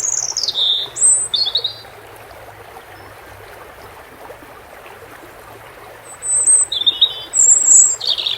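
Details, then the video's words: European robin song with water sounds: high, sweet whistled notes and short trills open the recording, followed by several seconds of only flowing water, then a fresh phrase of bright, varied notes. "Relaxing _Water Sounds _bird red throat"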